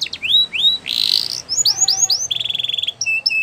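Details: Belgian canary in varied song, mixing rising whistles, a harsh buzzy note, upward slurs, a rapid even trill of short notes and two flat whistled tones at the end.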